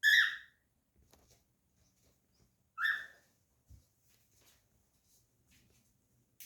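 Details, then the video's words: Pet cockatiel indoors, singing and whistling: two short, harsh, rising chirps about three seconds apart, with quiet gaps between them and faint small noises. "Cockatiel singing, whistling and saying his name"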